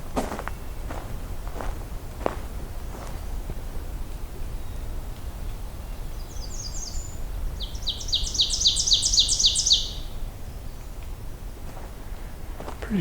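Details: Pine Warbler on an overcast morning hike gives a high, even trill of quick repeated notes lasting a few seconds, with steady low rumble, scattered taps of a nearby woodpecker's pecking and footsteps.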